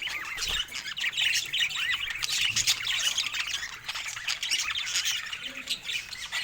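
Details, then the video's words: Happy pet budgies chattering in a busy mix of quick high chirps, squeaks and short squawks overlapping without pause. "Budgie Laughter and Chirps — The Sound of Happiness"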